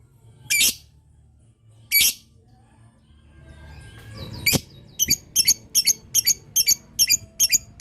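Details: Lovebird in long 'ngetik' chatter meant to make other lovebirds reply: two harsh, spaced chirps, a brief rustling noise, then a quick, regular run of clipped high notes like typing.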